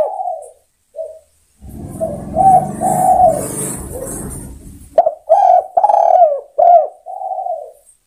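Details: Spotted dove calling other birds: soft coos at first, a burst of rustling noise, then a clear series of quick clipped notes and long mellow coos.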